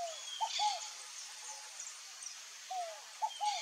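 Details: Scaled dove singing twice, each phrase a drawn-out falling coo then a pair of brief rising hoots, over a steady hiss of insects and distant bird chatter.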